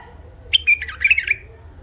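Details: A single brisk song phrase from a mule finch, a first-isolation bird noted for a thick, deep throat: quick sharp chirps run into a tumbling trill against low background hum.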